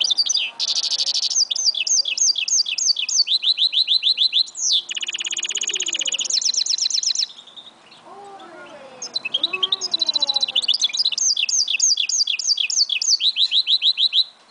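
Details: Long 2011 song of a goldfinch mule: rolling high trills, runs of repeated swooping notes and a rattling buzz. A brief pause carries faint lower whistled notes, then the bird resumes with fast repeated chirps.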